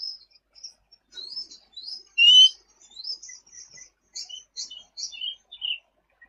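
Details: Sooty-headed bulbul singing actively, a tutor recording for other birds: very high, thin twittering notes in quick succession, with one louder clear whistle partway through.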